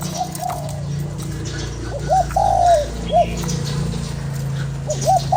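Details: Spotted dove cooing to stimulate a decoy bird: a faint phrase, then a clear sequence of short hoot, long descending slurred coo and clipped closing note, with another beginning at the end. Strong low hum throughout.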